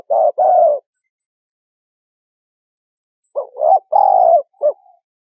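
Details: Spotted dove, sound used as a lure for bird trapping: one coo phrase, a three-second pause, then two quick notes, a long level-to-falling coo and a short final note.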